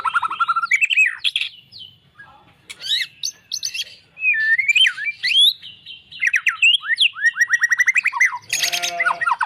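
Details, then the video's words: White-rumped shama (murai batu) pouring out a rich, varied song of rising and falling whistles, sharp slurs and rapid chattering trills, with a harsh rasping burst near the end. "murai faighter mental juara"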